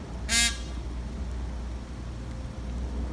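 Indian peafowl giving a single loud, brassy, nasal honk lasting a fraction of a second, over a steady low rumble.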